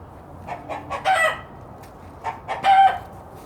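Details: Rooster giving a warning signal on seeing a hawk or other danger, telling the hens to go and hide: two bursts of quick, harsh clucks, each rising into a louder, drawn-out squawk about a second and a half apart.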